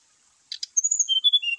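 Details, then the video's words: Song of a brown-chested jungle flycatcher, played to stir caged birds into singing: two short rasping clicks, then a quick chain of high thin whistles dropping into longer, level whistled notes. "PALING MANJUR UNTUK PANCING ATAU PERANGSANG EMOSI SRDC MALAS BUNYI,SIKATAN RIMBA DADA COMLAT GACOR"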